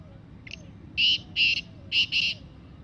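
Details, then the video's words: Black francolin, wild and free, calling in jungle; a small introductory note followed by four loud scratchy notes in a rhythmic phrase ending in a rapid double, faint thin whistles underneath. "Desi Kala Teetar Bolty hue Kala Teetar ki Awaz Teetar ki Voice"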